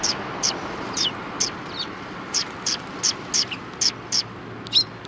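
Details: At a Tenmangu shrine back entrance in February 2020, sparrows greeting a person give clear single chirps about every half second, evenly spaced, over soft background noise.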